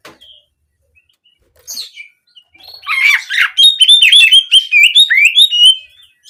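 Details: Oriental magpie-robin (kacer) song played as therapy to get the bird singing, canary-imitating 'nembak' style; after faint chirps, a loud run of varied whistled notes and rapid rising and falling trills from about three seconds onward.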